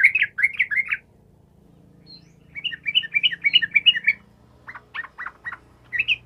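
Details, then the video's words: Yellow-vented bulbul in prolific full song, used as a lure to provoke silent bulbuls into answering: short bursts of bubbly, chattering notes, a rapid run of four phrases, a pause, then a longer jumbled run and a few sharp separate notes. "TRUCUKAN GACOR ampuh memancing trucukan bisu langsung nyaut"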